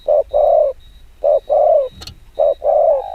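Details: Very fast 'gù kích bổi' coos from a spotted dove: three mellow double notes, short then long, with a faint high whine and one sharp click.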